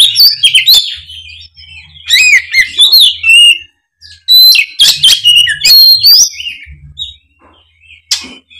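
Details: Kacer (Oriental magpie-robin) in full 'gacor ngeplong' song, used to prompt off-form young spotted birds; two dense bursts of loud whistles, buzzy trills and rapid chips, with a brief pause between them and a faint low hum.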